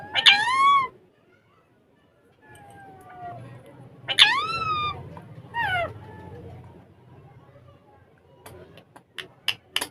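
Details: Ringneck parrots talking in Urdu or Hindi on a table. Three loud, drawn-out, rising-then-falling harmonic utterances are spaced several seconds apart over a low background hum. The end brings sharp clicks.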